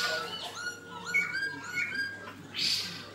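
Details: Short burst of black-throated laughingthrush fighting song: rich whistled notes with a clear tonal ring, ending in a harsh noisy rasp, over a steady low hum.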